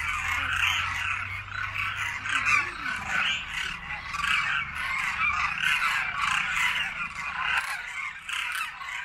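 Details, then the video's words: Large flock of demoiselle cranes in winter at a feeding site with grain in Khichan village, Rajasthan, circling overhead after feeding. A dense, continuous babble of overlapping rolling calls is heard, with a low hum early on. "Cacophony of Cranes"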